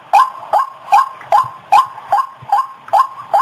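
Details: White-breasted waterhen call used as a lure, heard as nine clipped, harsh notes, each sliding upward, repeated evenly about every 0.4 seconds on a clean background.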